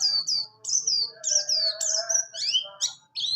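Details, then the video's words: Buxtoni white-eye in rolling 'ngalas ngerol' song for training other birds; long high whistles slide downward one after another, roughly every half second, ending in quicker sharp chirps, with a low steady hum behind. "pleci buxtoni Ngalas ngerol cocok sekali untuk"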